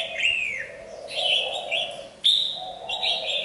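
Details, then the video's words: Red-whiskered bulbul in molt gives a downward-slurring whistle, then rich level whistled phrases with an abrupt loud restart midway; soft lower chatter underneath. "Mào mồi đang thay lông nhưng vẫn chơi nhiệt"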